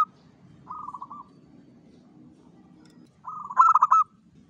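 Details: Local zebra dove song used as a lure recording to attract zebra doves: a soft rolling phrase of quick pulsed coos, then a louder answering phrase of stuttered coos ending in a sustained note, over low background murmur.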